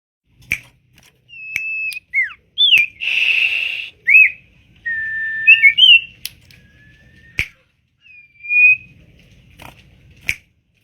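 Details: Tame common iora, kept as a cage bird, singing actively: clear whistled notes around high pitch, some steady and some sweeping up or down, with short bursts and sharp clicks scattered between phrases in a quiet room.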